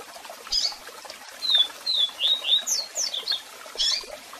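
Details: Double-collared seedeater, strong song with calls played for song training: a lively series of high, slurred whistled notes, some rising and others falling, delivered in a running phrase over the constant sound of a waterfall.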